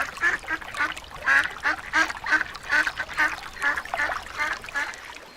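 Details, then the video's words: Little ducks chatter in a steady stream of nasal, buzzy quacks, roughly two per second, overlapping slightly and holding an even pitch throughout. "صوت البط الصغير صوت البش بطوط جميلة"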